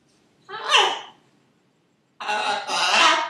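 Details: A female Buffon's macaw kept as a pet says her name over and over. Two grating, voice-like utterances are heard, a short one followed by a longer two-part phrase, in a quiet room.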